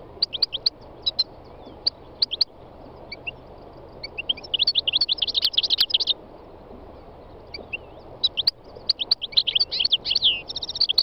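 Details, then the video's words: Spring song of a three-year-old North African goldfinch, Carduelis carduelis, in the mountains of north-west Tunisia: scattered high chirps building into dense twittering bursts with buzzy trills, among other wild birds singing nearby such as greenfinch, serin and nightingale. "My wild goldfinch singing تغريد مقنين خلوي"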